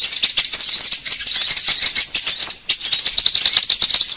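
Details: Sunbird lure calls for gathering wild birds; fast, crowded high tweets and small rising whistles run continuously through the whole stretch.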